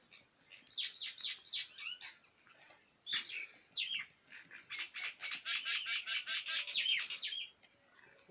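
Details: Black batair (quail) kept in Pakistan, its kirk call: a run of sharp, high chirping notes, a few at first, then a long rapid series of about fifteen evenly spaced bright calls after a pause.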